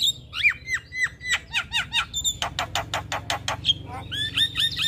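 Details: Male Javan myna singing strongly in the morning, full of fill-in phrases: downward-slurred whistles, squeaky notes, then a rapid row of harsh clicking pulses and a few bright whistles, with low hum behind.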